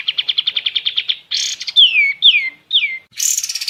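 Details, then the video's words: Song of a kapas tembak: a quick run of about fifteen clipped chips, a rough burst, three sharp downward-sliding whistles, and the start of a high, fast buzzy trill, recorded cleanly. "Terapi kapas tembak dan maateran burung"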